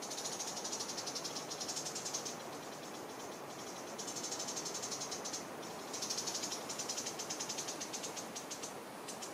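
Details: Long-billed starthroat song from Boquete, Panama, in the December/January singing season: long stretches of rapid, very high, buzzy ticking notes, about four per second, in waves that pause and restart, over a steady hissing background.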